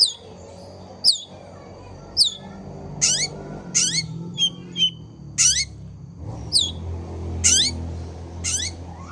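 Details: Long-tailed shrike in active song: a steady run of piercing high notes that drop sharply in pitch, some doubled, repeated roughly every half second to second, with a low hum and faint rumbling in the background.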